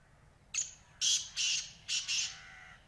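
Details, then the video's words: Black francolin giving one harsh, grating phrase of five loud buzzy notes: a short opening note, then two rasping pairs, all broad and scratchy, over a quiet background. "Black Francolins Voice"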